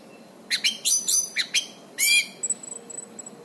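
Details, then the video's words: Orange-banded thrush (anis cendana) in lively song, intended as a master recording for training birds: a burst of harsh, rich buzzy notes in quick succession, then soft high thin whistles fading out. "suara anis cendana gacor buat terapi dan masteran burung macet/bahan"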